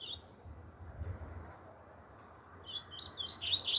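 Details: Chopi blackbird, 'tui tui zero zero' song style: after a quiet stretch with low rumble, a quick run of high chirped and whistled notes rises in loudness toward the end.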